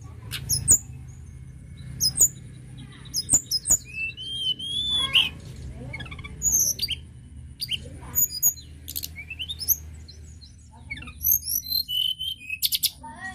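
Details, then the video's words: High-pitched shortwing song meant to get other birds singing. Bright twittering phrases and rising then falling whistles are broken by sharp clicks, with notes coming in irregular bursts about forty times a minute over faint low background noise. "Tledekan gunung gacor"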